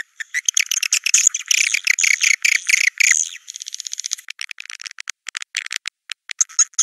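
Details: Swiftlet sound of the 'Naga Merah' style, used to attract swiftlets to nests: three seconds of dense high twittering, then a quick series of dry clicks and scattered chirps.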